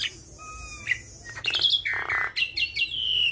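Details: Javan myna song packed with varied phrases, used to train other mynas. Thin steady whistles lead into a buzzy rattle, a harsh nasal burst, then a series of high clear downslurred notes.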